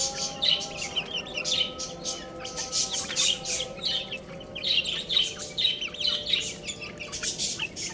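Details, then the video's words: A flock of little chicks at play and feeding keeps up a continuous run of sharp, high peeps, several per second, in rising and falling waves of loudness. "Cute Little Chicks Chirping Sounds | Baby Chicken Playing and Eating"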